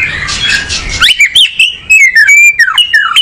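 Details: Oriental magpie-robin, locally called kacer, singing: after a second of rough broadband noise come loud clear whistled notes, some sliding up or down, others short and sharp, in a quick varied run.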